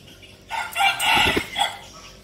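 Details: A short, strident crow from a captive decoy red junglefowl in Bình Phước province, Vietnam: a rising start, a loud middle and a quick clipped ending.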